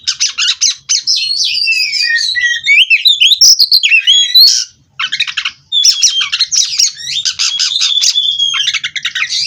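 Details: Aviary-bred kacer, or Oriental magpie-robin, rolling on without pause in 'ngerol' style: fast rattling chatter mixed with looping whistles, a short gap midway, then more buzzy, stuttering phrases.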